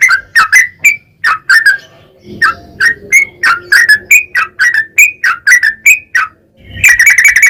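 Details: Yellow-vented bulbul in vigorous, long rapid song, used as a lure to get other bulbuls singing: bubbly, slurred whistled notes in quick uneven bursts, a short pause near two seconds and a louder burst at the end.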